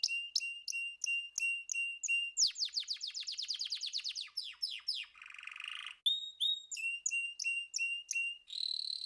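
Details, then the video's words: Canary song, clean and close: sharp repeated chips, then a fast rolling trill of rapid descending notes, a buzzy rattle, and further bright chirped phrases with high whistled notes; no other sounds. "طيور كناري تغريد"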